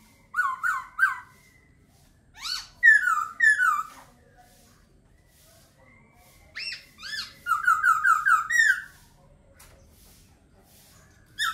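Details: Song of a laughingthrush in bursts separated by pauses: repeated falling slurred whistles in groups of three to six, rich and loud, with a fast run of similar notes near the end.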